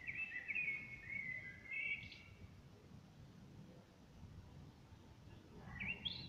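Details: Common blackbird singing outside a window, recorded on a smartphone. It gives a mellow, fluting warble ending in a thin squeaky flourish, then starts another phrase after a short pause, over a low background drone of unknown source.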